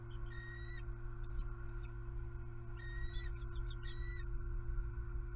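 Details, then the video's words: An alarmed bald eagle pair at their nest camera site in Southwest Florida after an owl attack. Drawn-out high whistles, some slurred, alternate with short chips, all over a persistent low hum. "SWFL Eagles ~Owl Strikes HARRIET Again! ~ Knocks Her to Nest ~ She Wing Slaps ~ H&M on High Alert"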